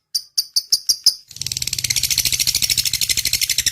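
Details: Lovebird song in the long ngetik ('typing') style for training other birds: several separate high clicks, then a sudden switch to a fast, continuous chattering trill with a low hum underneath.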